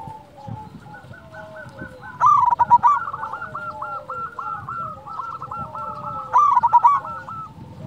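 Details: Loud-voiced local zebra dove, played to stir silent doves into song: dense rippling runs of short coos, two loud harsh bursts punctuating them, and softer lower coos overlapping throughout.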